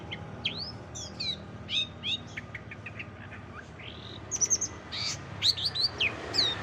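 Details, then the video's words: Cendet (long-tailed shrike) song built from other species' calls, played to train contest birds: quick varied whistles, slurs and ticks, growing into a fast twittering burst of high, thin notes against steady background hiss. "CENDET FULL MASTERAN SUARA KOMPILASI BURUNG LAIN"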